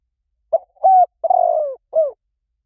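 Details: A single spotted dove phrase from a lure recording: a soft short note, a firm level coo, a long vibrating coo sliding downward, and a brief falling closing coo, in quiet surroundings.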